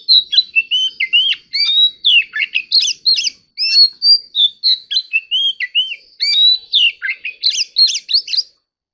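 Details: Competitive song of an ornamental Oriental magpie-robin: a long, energetic sequence of sharp whistled notes, rising and falling slurs and buzzy twists. There is one brief gap midway, then the song resumes at full volume.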